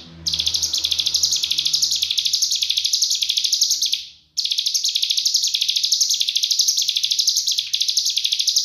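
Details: Cigun singing 'full nembak rapat' as a training master for murai, kacer and cucak ijo: a high, dense pulsed trill with regular swelling waves, one brief fade and gap near four seconds, then steady rapid chatter again.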